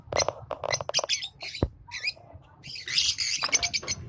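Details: A pair of green Fischer's lovebirds giving loud, harsh squeaky chirps in quick succession, a sharp click, then a burst of shrill overlapping twitters and squawks.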